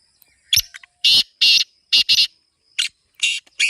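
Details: Black francolin (kala teetar) calling: a string of harsh, grating, broadband notes in uneven bursts, some doubled, with a few short clicks between them and no other clear sounds.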